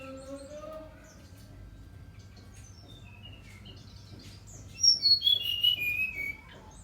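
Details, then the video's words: Brown-chested jungle flycatcher in energetic song: after quiet lower murmurs, a loud phrase of sharp whistled notes drops steadily from high to mid pitch near the end, with steady low hum throughout. "Sikatan rimba dada coklat SRDC gacor"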